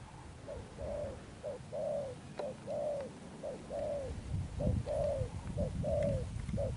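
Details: Recently caught spotted dove cooing in Thúc Đồng Pha Sấm style with Sấm Thổ tone: short-long coo pairs roughly every second, over rumbling low background noise and a few faint clicks.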